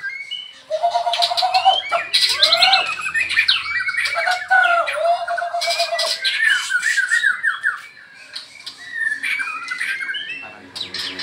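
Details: Balak 8 and Medan white-rumped shamas singing in the afternoon during a training session: dense, varied whistled phrases, harsh rattles and chattering, easing into scattered sweeping high notes.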